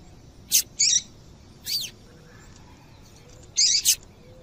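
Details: Female double-collared seedeater calling to stir males into song: sharp, high chirps in two pairs, a burst near half a second and another near three and a half seconds, with a single softer note between, over faint background hiss.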